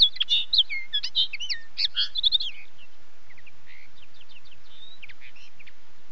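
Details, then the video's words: A linnet pours out a lively twittering song of clipped, fluty and slurred notes, loud for the first two and a half seconds, then continuing more softly with scattered chirps. "Как поет коноплянка? 🐦 Звук поющей коноплянки и какие звуки издает коноплянка"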